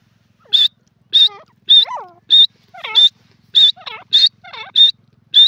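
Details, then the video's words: Grey francolin (teetar) calling. Shrill high notes repeat at a steady pace, about every half second, interleaved with lower, slurred, descending notes, all on a quiet background. "teetar ki awaaz in your videos grey francolin ki sound"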